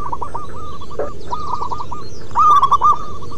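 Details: Several local zebra doves cooing: scattered hooked notes at first, followed by a louder close phrase of rolling, bubbly coos near the end, with a soft rumble throughout.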